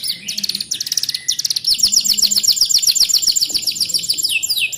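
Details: Caged canary trained on a mountain prinia song, giving a loud fast high-pitched trill of sharp repeated notes about four a second, rolling into rapid twittering phrases, with a faint low hum behind.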